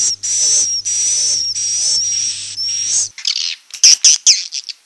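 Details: Roosting call of swiftlets, played to attract the birds to nest houses, 2022: long steady buzzy high-pitched trills for about three seconds, followed by a flurry of sharp, scratchy chirps.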